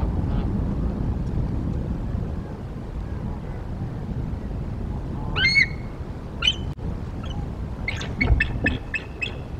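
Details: Adult bald eagle calling at a Mississippi River Flyway nest camera on 29 November 2023: a couple of shrill, sharp squeals, then a rapid run of about six high piping notes, over a steady low rumble of wind.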